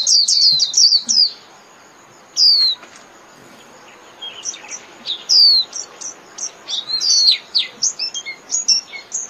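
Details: White-eye calling the flock with high chirps: an opening twittery burst, isolated thin whistles during a quieter stretch, then an increasingly rapid jumble of sliding notes at the end.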